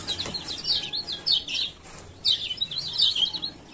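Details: Short runs of sharp, high 'ciak ciak' chirps from a male Lemon-bellied White-eye of Lombok, a lure for silent birds, broken by a brief pause midway.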